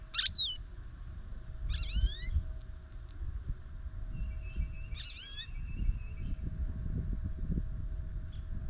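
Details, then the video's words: Goldfinch at a snowy-morning feeder: a sharp high note, then two clusters of swooping, rising twittered notes a few seconds apart, with steady hum and rumbling background noise. "SING Snowy Gold Finch"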